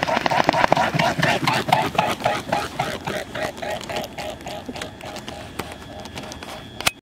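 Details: A single mute swan taking flight at Dragon Run Marsh, Delaware City, Delaware: its wings throb in a steady rhythmic whooping about four beats a second, over a faint background hum.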